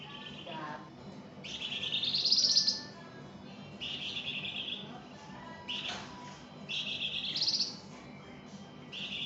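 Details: Flamboyan singing vigorously in a tutor recording: drawn-out buzzy phrases that rise in pitch and swell, alternating with shorter steady buzzy notes, with a low background hum.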